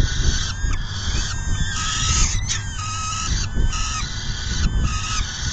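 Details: Peregrine falcon nest on June 10, 2022, shortly after 4 PM while the female feeds; repeated grating wails roughly every second, some with a short falling tail, over steady low rumble.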